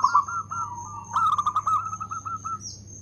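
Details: Zebra dove, a local bird, delivering its loud rhythmic song: two linked runs of rapid, rolling coo notes, the second beginning with a sharp accent and trailing off, over a constant high whine and low hum.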